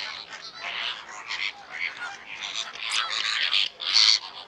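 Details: Greater flamingo calls: a continuous mass of overlapping nasal, honking and gabbling notes, as from many birds together, with louder squawks near the end.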